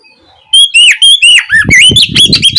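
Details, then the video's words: Evening ngeplong song of a white-rumped shama, played as a lure to get shamas singing back; clear ringing whistles, some long and level, others swooping downward, with soft low thumps underneath. "Pancingan suara Kacer ngeplong sore hari untuk merangsang Kacer supaya lekas nyaut bunyi"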